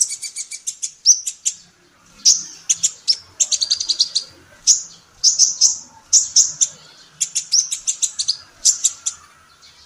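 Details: Female sunbird, a kolibri ninja recorded in Indonesia for training songbirds, delivers a lively continuous chatter of high, clipped chirps and rapid twittering clusters with only short gaps.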